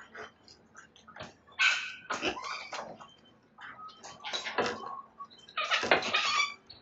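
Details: Sulphur-crested cockatoos on a morning in late May 2022 at Belgrave South, Melbourne, Victoria, Australia, chewing and damaging a house verandah, give harsh raucous screeches in irregular overlapping bursts with short quieter gaps.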